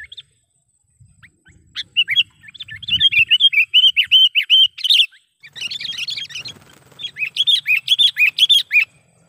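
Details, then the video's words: Sooty-headed bulbul giving a lively lure call used to draw wild bulbuls for trapping and to tutor young birds: bursts of rapid, bubbly chirping notes, fast and irregular, separated by short pauses, with faint low rumbling behind. "suara BURUNG KUTILANG PIKAT gacor / pikat kutilang gacor dengan suara panggilan kutilang gacor"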